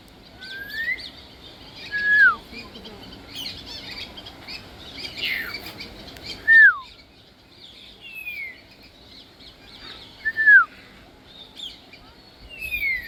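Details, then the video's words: Scattered whistles from an African grey parrot: short pure notes, some rising, several sharply bending downward, spaced a few seconds apart with faint background noise between. "African Grey Parrot whistling and making sweet sounds"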